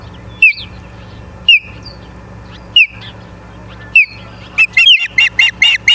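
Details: Osprey at a nest in Charlo, Montana, on a live cam, 09/07/2023, 09:42: four spaced, slurred whistles sweeping down, then a quick chattering run of shrill chirps.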